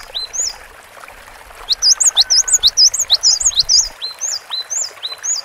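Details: Cinereous tit singing hard on a long training recording: swooping high whistled notes repeated in quick, slightly uneven pairs and triplets, loudest in the middle, over a faint low hum that stops partway.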